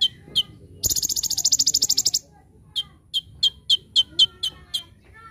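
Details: Olive-backed sunbird (konin) in a master recording for training birds, full tembakan style: sharp high chips, then a rapid buzzy trill of about a dozen pulses lasting over a second, followed by more spaced chips.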